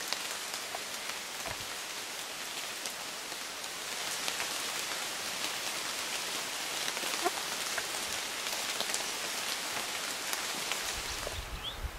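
Steady rain pattering on a hard surface, with no bird or other animal calls.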